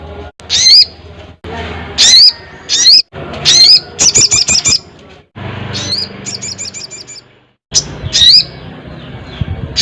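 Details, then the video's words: Crested jay calling loudly to a rival: high, rising, whistled notes about every one to two seconds, with short bursts of rapid clicking pulses between them over steady background hiss. "SUARA BURUNG SOGON GACOR KERAS"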